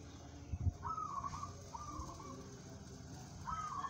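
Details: Local zebra dove said to suit song contests gives three brief purring coo phrases, evenly pitched and slightly wavering, against a low background hum with a soft knock near the start.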